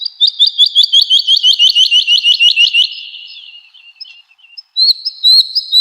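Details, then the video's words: Woodlark singing actively on a training recording for house and contest cage birds: a fast, even series of about fourteen sweet, high, doubled notes over three seconds, then a soft fading trail, then a renewed brief phrase; clean background. "Woodlark Gacor | Suara Merdu, Speed Rapat, Tembakan Tajam"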